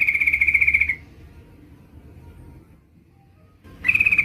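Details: A female yellow-vented bulbul calling a male gives a fast, even rattled trill lasting about a second, falls quiet amid low hum, then starts the same trill again.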